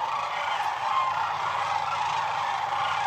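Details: Several hundred thousand Sandhill cranes massed on the Platte River at the height of northern migration, recorded from a blind, produce a thick, constant wall of rolling, overlapping calls.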